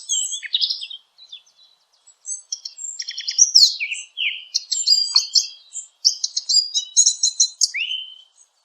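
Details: Dense, lively bird chirping: rapid clicks, sharp tweets and whistled slurs crowd together over eight seconds, pausing briefly near the start before resuming in busy bursts.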